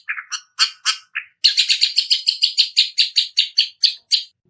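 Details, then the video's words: Long-tailed shrike learning chick-like piyikan sounds: a few scattered, scratchy chirps, then a rapid run of about fifteen sharp, high, repeated chips, each falling slightly in pitch. "Suara burung cendet belajar bunyi piyikan"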